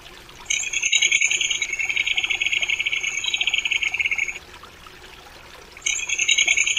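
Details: Crested kingfisher rattling: a rapid stream of harsh pulsed notes for nearly four seconds, a pause, then the rattle starting again, with a thin high whine running alongside.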